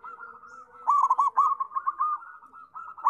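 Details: Zebra dove, in energetic full song, gives a run of quick staccato cooing notes. The notes are mid-pitched and rippling, and they sit over a steady droning tone that may come from other doves calling at the same time.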